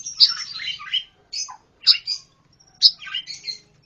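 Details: Harsh, scratchy chattering from a pancawarna, delivered as three rough bursts roughly a second apart, with a brief lower note between them and a faint low hum underneath.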